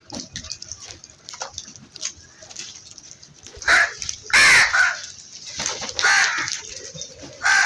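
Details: Crow calls: several harsh, loud caws after a quieter opening, with a cluster of strong cries between four and five seconds and more near the end, over faint background chatter.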